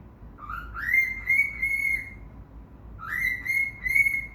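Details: A male cockatiel sings to his cage: two clear whistled phrases that each slide upward, then hold a bright steady note.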